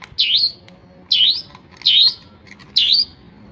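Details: Long-tailed shrike (pentet, Madura cendet) singing varied mimicry of other birds' voices; four loud, sweeping, V-shaped whistled notes, each dipping then rising, spaced a little under a second apart, over a quiet background.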